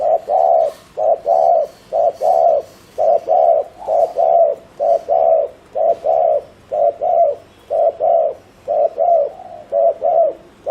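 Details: Spotted dove decoy delivering a long run of fast 'gù' coos to stir wild doves. Low hollow paired notes, a short coo then a longer one, repeat steadily about once per second throughout.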